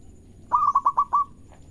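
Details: Single phrase from a local zebra dove sung to draw other doves into song: six quick, rolling coo notes in under a second, the last slightly drawn out, followed by quiet.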